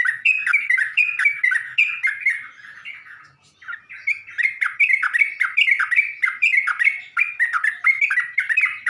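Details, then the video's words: Sooty-headed bulbul (trucuk) song used as a lure to provoke other bulbuls: a lively string of bubbly, slurred chirping phrases repeated about four per second, briefly pausing midway before resuming just as busily. "Burung trucuk manapun gak bakal diam kalo dengar pancingan ini"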